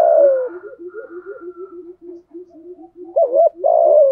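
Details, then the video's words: Spotted dove 'thổ sấm' voice used to provoke wild doves in the wet, windy season: a long falling coo leads into a quick string of soft low notes, then a wavering double coo and another drawn-out falling coo, with faint thin whistles behind. "Chim cu gáy cườm thúc gù bài bản, giọng gáy hay kích bổi hiệu quả mùa mưa gió"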